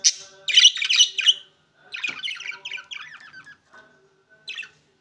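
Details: Opaline green and opaline blue budgerigars give a rapid run of raspy, squawking chirps, then a longer stretch of busy, warbling chatter, ending with a single short call.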